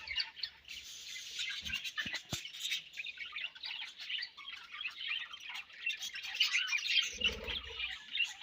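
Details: Several budgerigars feeding and exchanging food, giving soft, continuous, scratchy chatter of high chirps and warbles with no clear rhythm; a brief low thump near the end.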